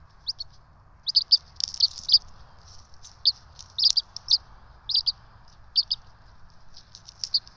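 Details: Feeding time for two bald eagle nestlings on a Johnson City nest camera, 12 March 2024; shrill high peeping comes in irregular clusters of two to four notes, some overlapping, above a quiet steady hum.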